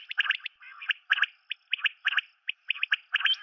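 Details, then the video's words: Common quail call: sharp clicking notes in tight groups of two or three, repeated steadily about twice a second with brief gaps. "Batair ki Awaz , Batair Sound vol 31, Common Quail Sound 2020 |CALL COMMON QUAIL (Coturnix coturnix)"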